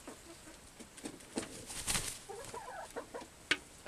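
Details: Chickens kept in an aviary, captured with a Canon Powershot SX200 IS camera: soft irregular clucks and a brief cluster of tonal notes midway, with a sharp click near the end and constant hiss behind.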